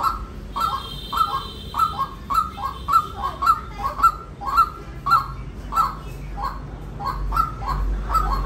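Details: Repeated clipped calls of a white-breasted waterhen, about two each second, bright and slightly hoarse, with a faint high whine and low rumble behind them.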